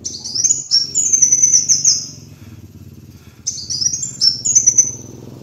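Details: A kolibri wulung sunbird gives high, rapid, shrill trills as a master lure recording: a two-second phrase, a pause of over a second, then another burst of sweeping notes, with a steady low hum.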